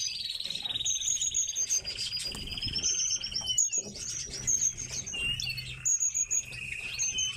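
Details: Captive tits in a busy chorus: continuous high-pitched chirps and rapid trilled series over a steady whistled note, with a few soft low thumps in the background.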